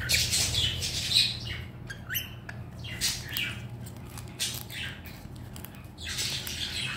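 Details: Happy pet red-collared lorikeet indoors with a favourite toy and its owner back home, letting out rapid, rasping screeches and chattering squawks in irregular clusters.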